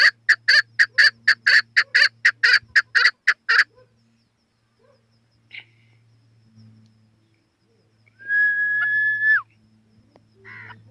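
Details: Chukar partridge delivering a quick run of regular, sharp chuck notes for several seconds, then quiet with a few faint sounds and a brief sustained tone near the end.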